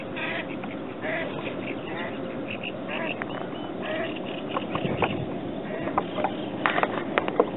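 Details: Mallard ducks with a run of short, rasping quacks scattered through the recording, growing busier toward the end, over a constant low hum with voices mixed in.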